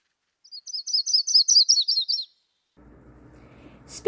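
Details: Yellow-rumped Warbler, a spring migrant in southeast Saskatchewan and southwest Manitoba, sings a loose high trill of about a dozen quick chirping notes over two seconds; a low hum and a brief clatter follow.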